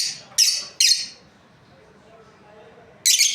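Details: Breeding pair of lovebirds chirping: a few harsh, high, shrill chirps in quick bursts separated by a long quiet gap, with faint low room hum beneath.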